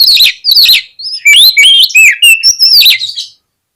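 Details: Oriental magpie-robin song to goad birds into fighting and spreading the tail: two scratchy bursts followed by a continuous flow of loud, varied whistles, some rising, some dropping, ending abruptly.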